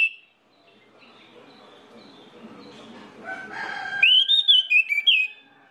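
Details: Orange-headed thrush singing as a lure for other orange-headed thrushes: a few seconds of soft background and harmonic tones, then a bright phrase of seven or eight quick, warbling whistles that rise and fall.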